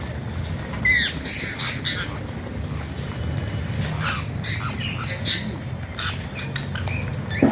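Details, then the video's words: Alexandrine parakeet, a captive bird making funny talking sounds: a run of short harsh squawks and harmonic rising and falling notes, scattered irregularly over several seconds, with a low steady background rumble. "Alexander pahaadi tota funny talking sounds"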